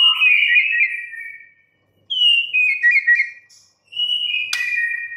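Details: White-rumped shama, a caged bird, giving long clear descending whistles in three phrases, with one sharp click.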